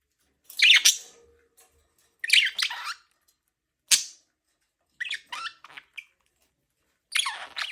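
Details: Budgerigar kept as a pet, chirping in a small room: five separate bursts of scratchy, buzzy squawks and warbles, each under a second, spaced about a second apart.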